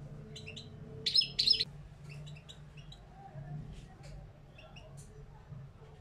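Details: Caged parva European goldfinch singing, a recording meant to train new caged birds; scattered thin chirps with a loud pair of buzzy twittering notes near the start, then sparse high tweets over a constant low electrical hum.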